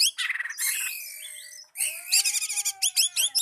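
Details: Oriental magpie-robin singing to draw a rival, mixing fast stuttering chirps, a long harsh buzzy note, sliding whistles and rapid repeated sharp notes.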